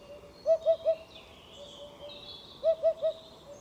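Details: Eurasian hoopoe, a hole-nesting bird of Spain, giving two sets of three soft, low, hollow hoots about two seconds apart, each phrase evenly paced. Faint thin twittering from other birds sits high in the background.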